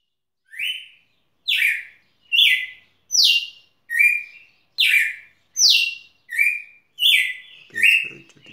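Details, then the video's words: Red-cowled cardinal singing at Rio Grosso: ten loud, clear whistled notes roughly one per second, alternating sharply falling high phrases with flatter, slightly rising ones, against a quiet background. "Galo de campina cantando"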